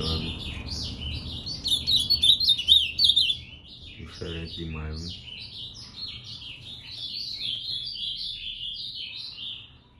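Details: Moicano-style song of an ultramarine grosbeak, a long run of quick rising and falling warbled notes; a brief human voice breaks in near the middle, then the high warbling continues.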